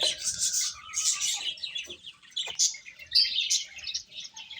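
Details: Baby hens chirping while eating: crowded, piercing, high peeps throughout, with a faint lower drawn-out whistle early on and occasional soft clicks.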